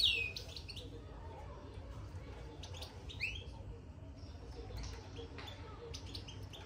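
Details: Caged European goldfinch giving its soft 'batbata' twittering after entering the cage: a few sharp, high, downward-sliding chirps scattered across the clip, with a steady low rumble of background noise throughout.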